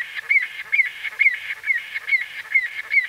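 A White-fronted bee-eater gives short, nasal, slightly falling squeaky notes, about two per second and seven in all, over a faint hiss.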